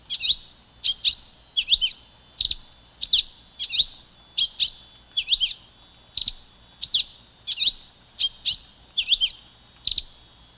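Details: Ramphocelus carbo, the silver-beaked tanager, calling in a run of crisp high chirps, single and paired, spaced irregularly about every half second over ten seconds against a faint steady hiss.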